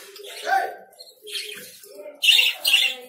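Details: A few lovebird calls: softer, lower squeaks early on, then two loud, piercing high chirps close together at the end.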